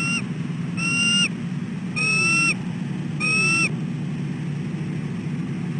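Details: On a nest camera at 6:34 am, a female bald eagle persistently calls for a shift change with her incubating mate: four ringing, slightly rising whistled notes at roughly one-second intervals over low hum.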